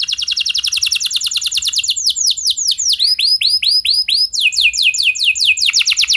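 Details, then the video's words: Canary song, used to prompt other canaries into long singing. Fast rolls of high, downward-sweeping notes, about two per second at first, switch to slower looping upward-curved whistles, then a fresh rapid trill of descending notes. "Kenari Gacor Lagu Mewah! Buat Kenari Mana Saja Bakalan Langsung Ikut Gacor Panjang"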